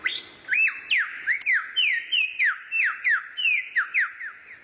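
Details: Rare songbird used as training song for White-rumped shama: clear whistled notes, each a steep downward slur, repeated about three times a second in a steady series on a quiet background.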